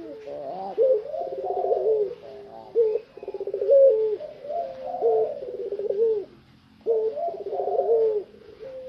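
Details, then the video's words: A tame Barbary dove, outside its cage, gives low, rolling, bubbly coos in long drawn-out phrases, with a brief pause before it starts again. "BURUNG PUTER PELUNG JINAK TOTAL,GACOR"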